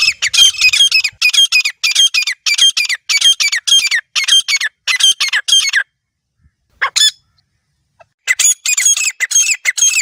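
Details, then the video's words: Grey francolin, wild and recorded in a natural setting, a hunting call: loud, rhythmic, grating notes in quick succession, a pause with one lone note, then the series starts again. "جنگلی دیسی تیتر کی اصلی آواز | گری فرانکولن کی زبردست شکار والی آواز"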